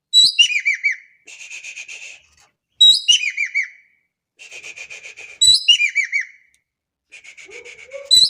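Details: Javan kingfisher, an Indonesian bird calling energetically: each phrase opens with sharp, high, descending whistles, then runs into a buzzy, even rattle. The phrase repeats about every two and a half seconds, four times in all.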